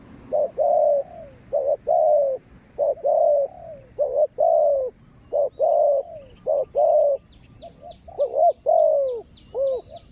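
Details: Wild spotted dove answering a Malaysian-line ground decoy, loud and varied: repeated coo phrases of short clipped notes followed by longer downward-curving coos, about every two to three seconds, faint rapid high ticking near the end.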